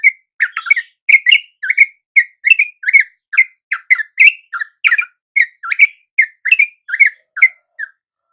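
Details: Sooty-headed bulbul lure song at dawn, used to draw wild bulbuls that answer it: loud, bubbly whistled notes, short rising and falling, in a rapid, uneven series of about two per second.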